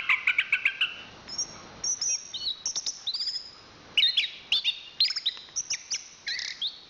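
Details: Chestnut-capped thrush, a national champion bird, singing rapid repeated chips, then high thin whistles and a mix of short bright phrases and sharp clicks.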